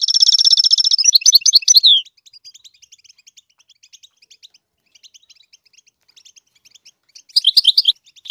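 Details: Goldfinch song meant to teach the chicks: a steady, high, buzzing trill, then fast twittering, a long stretch of faint ticking, and a renewed burst of chirps at the end.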